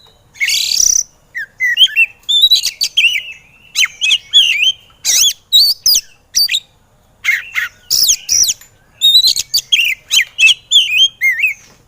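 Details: Oriental magpie-robin (kacer) singing in an agitated state on a training recording for lazy birds: a long, dense stream of loud whistles, harsh rasps and quick warbled phrases with barely any pauses.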